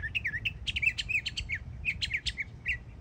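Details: Young mockingbird in Florida singing a short stretch of quick chirps and rising-falling whistled notes in tight bursts, over faint low hum.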